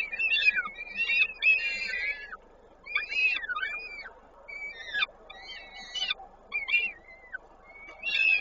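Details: Peregrine falcon at a nest in Koszalin, Poland, on 19 May 2022 during feeding; thin, wavering high whistled calls come in bursts of rising and falling slurs, several per second, over a low steady background hum.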